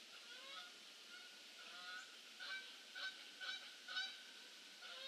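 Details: Geese arriving for their evening stay, late November afternoon: a steady chorus of distant honks, several calls clustered between two and four seconds, over a broad hissing background.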